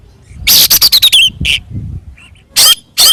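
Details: Oriental magpie-robin in fighting song used as a lure to provoke rivals: a rapid string of loud rasping notes with a descending whistled slur, then a soft pause and two further harsh bursts.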